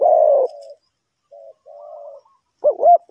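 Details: Decoy spotted dove from Ninh Thuận, Vietnam, used for trapping: one loud, low, drawn-out coo fading into softer notes, a pause, then quick wavering looped notes.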